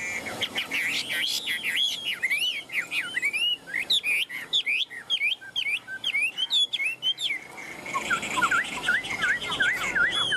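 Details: Caged Chinese hwamei in a carried cage, singing nonstop: a rapid run of varied, loud whistled notes that swoop up and down, with a burst of quicker rising and falling phrases near the end.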